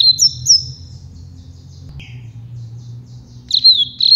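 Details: Captive Double-collared Seedeater singing the campainha (carretilha or flauteado) song, used to train young birds: high, ringing whistled phrases in quick bursts, pausing briefly before resuming, over a faint low hum.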